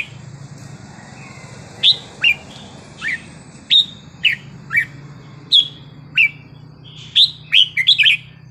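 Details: Red-whiskered bulbul giving a wild-type song with sweet phrasing. After a quiet start, crisp downslurred whistles repeat roughly every half second, ending in a quick cluster of notes. A low hum persists.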